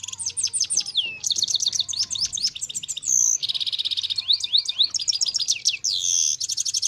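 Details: Trained European goldfinches singing during pairing: fast, bright twittering with rapid chirps, sweeping slurred notes and buzzy trills, delivered in continuous dense bursts with no other sounds.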